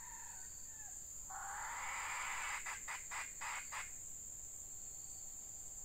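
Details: Red junglefowl decoy hen in rainy weather gives a quick series of five rough, clipped clucks after a burst of rustling noise, while a constant shrill insect chorus hums in the background.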